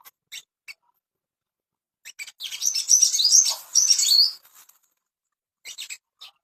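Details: Ashy tailorbird, recorded as a master song to bring birds into breeding condition: isolated sharp ticks, then a two-second burst of bright, rapid, high warbling, fading back to a few clicks.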